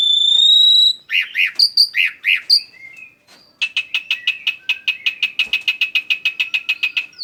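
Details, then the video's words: Black-winged starling song for luring other birds: a long steady high whistle, a few loud burry warbled notes and a short pause, then a long rapid train of sharp chatter notes. "Memancing Suara Burung Jalak Uren"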